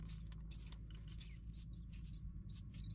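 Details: Hungry baby birds in a nest awaiting their mother with food: clusters of shrill, high squeaking cheeps arriving in short bursts about twice a second, over a constant low electrical hum.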